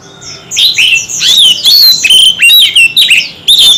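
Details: Kept Oriental magpie-robin duelling in song with a wide range of voices: rich, loud, rapidly changing whistles, slurred upsweeps and downsweeps mixed with clicks and short chips, barely pausing.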